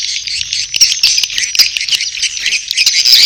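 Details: Edible-nest swiftlet courtship sounds with chicks, a constant shrill buzzing twitter punctuated by short clicky chirps.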